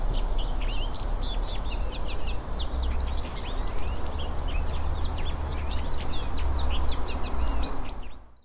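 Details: Goldfinch song, melodious and less trilled than other songs: a long, rambling twitter of quick, varied high notes, mixing slurred chirps and short trills, over a steady low rumble of background noise.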